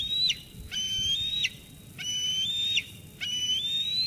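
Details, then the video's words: Eaglet at the Sauces Canyon eagle nest on 13 June 2021 squeeing at the adult female that delivered food, driving her away before eating: drawn-out piercing whistles climbing in pitch, ending in a quick downslur, about four in a row. "Dina squees Mom away, then eats."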